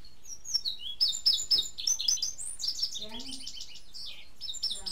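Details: An Indigo Bunting (Passerina cyanea), in its first season, sings a fast run of high, sweet, paired chirps, many slurring downward; a brief low human voice sounds in the background.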